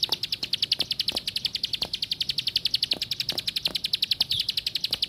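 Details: High, rapidly pulsed song of a plain prinia, bright repeated notes running without a break, interrupted by a few soft clicks in the background.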